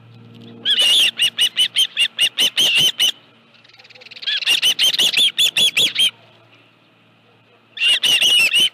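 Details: On 25 July 2018 at 5:23 PM, an osprey at the Dunrovin Ranch nest with a live fish calls in three series of quick, shrill, repeated whistled chirps, pausing briefly between series.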